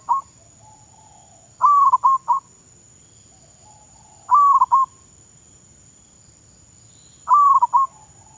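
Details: Zebra dove being trained as a decoy bird in Thailand sings short rolling coo phrases of three or four clipped, slightly rising notes, repeated roughly every two and a half seconds over a quiet background with faint hum.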